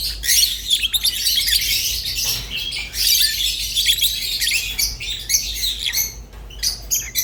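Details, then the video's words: Seven seconds of rosy-faced and Fischer's lovebirds singing, with loud, scratchy, high chatter that thins into separate sharp chirps toward the end. "تغريد ولا أروع | روز و فيشر غندور بصوت ساحر وممتع"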